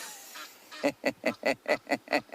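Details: Egyptian geese at Tree House dam give a rapid run of harsh, nasal honks, about five a second, after a brief quiet lead-in with faint background noise.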